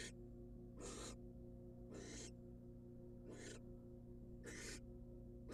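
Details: Female barn owl, wild, at a research-monitored nest box as the male hands over a rat; six scratchy hisses, irregularly spaced about a second apart, above a persistent low hum.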